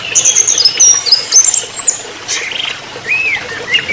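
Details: Trotol-style song of an orange-headed thrush for tutoring songbirds: very high thin whistles and quick trills, then lower slurred rising and falling whistled notes, each phrase brief and varied.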